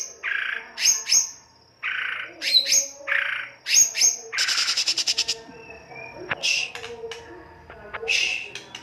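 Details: White-rumped shama harsh 'kasar' song used as a singing lure: raspy buzzy notes paired with high chirps, a fast rattling trill, then scattered sharp calls.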